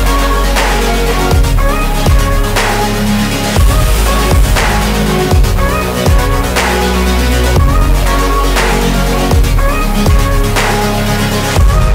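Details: Loud electronic dance music with heavy bass and driving beats fills the whole stretch, with no animal voice to be heard.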